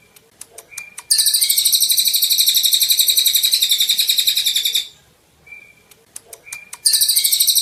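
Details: Golden-bellied gerygone (Gerygone sulphurea), song.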